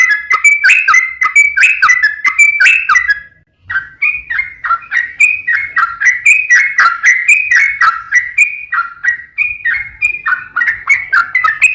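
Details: Lure song of a yellow-vented bulbul, lively 'ropel panjang' style meant to make other bulbuls answer: continuous chattering of mellow warbled notes, a brief gap near the fourth second, then the bubbling flow resumes unbroken.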